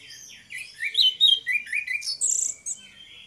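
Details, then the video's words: Two orange-headed thrushes singing in the ngeplong style, used as a lure to make other birds sing: a rapid run of varied, slurred whistles and short chattering notes, rising and falling, ending in a higher squeaky phrase. "DUO ANIS MERAH NGEPLONG GACOR, PANCINGAN ANIS MERAH BIAR BUNYI"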